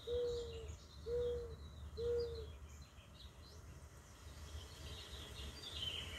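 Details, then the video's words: Mourning dove giving three soft, low, hollow coos, each about half a second long and spaced about a second apart, over faint high twittering from other birds and a steady low rumble. "Mourning dove part 1. Beautiful bird with a beautiful song."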